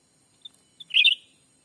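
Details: Black-capped bulbul lure call, used in the Sumatran forest in daytime to draw in wild birds: two thin high pips, then a short, loud warbled chattering phrase lasting about a quarter second.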